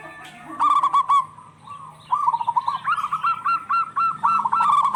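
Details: Local zebra doves answering each other as a lure for birds that have stopped calling. Short stuttered phrases lead into a long run of evenly spaced, bouncing coos.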